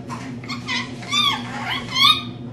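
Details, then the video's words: Indoor pet lorikeet, female, imitating speech with a run of gravelly, rising and falling voiced syllables that swell to a louder final phrase, over a low continuous hum. "Lorikeet Talking"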